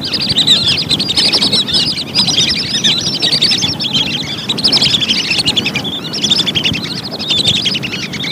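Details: Lesser whistling ducks, recorded as a lure sound, call in a dense continuous chorus of overlapping high whistles that rise and fall in waves, with a steady low background rumble.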